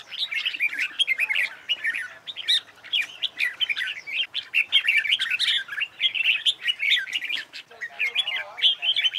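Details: Red-whiskered bulbul singing in competition style for contest training: a rapid, continuous run of lively warbled and whistled notes, with overlapping phrases from more than one voice.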